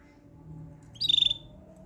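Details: A single brief canary phrase: a high rapid trill of about seven quick pulses lasting under half a second, over a low steady background hum.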